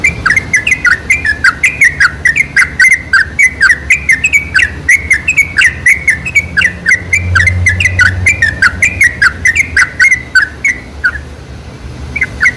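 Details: Sooty-headed bulbul (trucuk) singing in a lure recording meant to excite other bulbuls into song: lively, rapid strings of rolling whistled notes that swoop down and up, closely spaced throughout, with a faint low hum in the middle.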